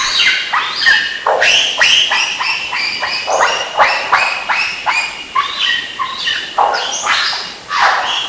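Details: A lyrebird runs a continuous mimicry playlist of harsh, barking squawks, several a second, coarse and broad in pitch, with no human-sounding whistles mixed in.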